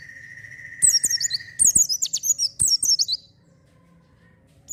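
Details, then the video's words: Energetic oriental white-eye song meant to prompt untrained birds: three quick runs of shrill, tumbling high notes in close succession, preceded by a long level whistled tone, with a few sharp clicks and then quiet. "pancingan pleci gacor cocok untuk burung bahan"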